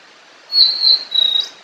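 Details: Natural lure recording of a fork-tailed sunbird (sulingan or tledekan): a thin, high, sustained whistle that wavers slightly, then breaks into a fast fluttering trill at the end.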